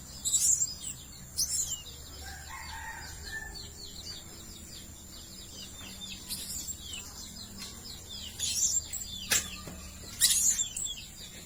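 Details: Blue-crowned hanging parrot, a lure recording for attracting birds: shrill, very high sibilant notes in short loud bursts every one to two seconds, over steady hiss and faint lower chirps.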